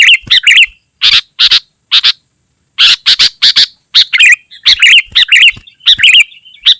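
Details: Sooty-headed bulbul in energetic, very dense song for luring wild birds and tutoring caged ones: harsh paired chirps alternating with fluty, wavering warbles, in quick irregular bursts.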